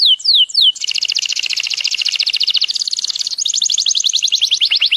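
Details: Yellow canary in sustained song: three sweeping whistled notes open into a long, rapid, rolling trill that shifts pitch midway and keeps going without a break.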